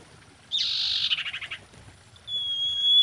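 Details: Common iora, presented as a female in mating condition and used as a lure, giving a buzzy, rapidly pulsing chatter followed by a long, high, even whistle.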